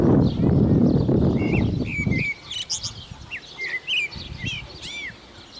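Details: On Chios, a common blackbird gives a string of short, fluty whistled notes, some rising and some falling in quick succession, after an opening stretch of heavy rumbling noise.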